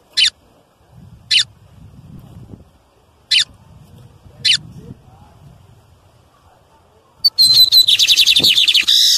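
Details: Male lined seedeater calling loudly in nature to stimulate other birds: four isolated sharp high chips spaced a second or two apart over faint low rumble, then a sudden dense burst of rapid buzzy trilled notes.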